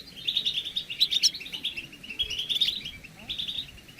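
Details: European goldfinches chattering as a group to encourage males to sing: steady, overlapping liquid twitters and buzzy trilled notes running throughout, slightly softer near the end.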